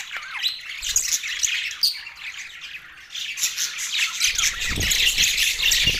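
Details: Several Australian budgerigars chirping in a mating context; scratchy warbling chatter grows louder and denser in the second half, with a low rumbling background noise joining near the end.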